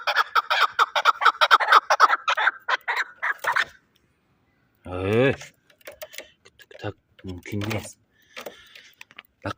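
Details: Chukar partridge kept for fighting, Shahritus, Tajikistan: a fast chattering series of harsh notes for nearly four seconds, followed by a man's speech and scattered clicks.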